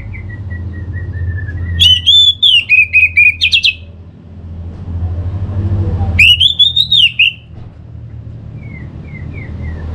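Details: Orange-headed thrush song meant to stir a kept bird into lively singing; two loud bursts of rapid chirps and sliding whistles separated by a pause, with soft whistles at the start and end.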